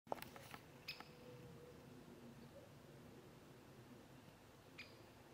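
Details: Great spotted woodpecker at fish ponds in the Draga valley, Slovenia, on 20 November 2022, giving two sharp, high 'kik' notes about four seconds apart, with a few soft clicks at the start against a quiet background.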